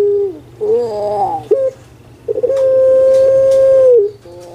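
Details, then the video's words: Caged puter pelung collared dove, Java, Indonesia: a short low coo, a rolling wavering phrase, clipped notes, then a long drawn, even-pitched coo lasting nearly two seconds. "PUTER PELUNG SUARA MERDU STABIL"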